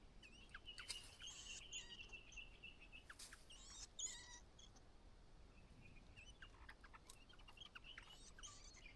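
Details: On its final day in the nest, a single White-browed laughingthrush chick is called out by its mother; a drawn-out thin tone, quick chirps and sharp clicking bursts come irregularly over a low hiss.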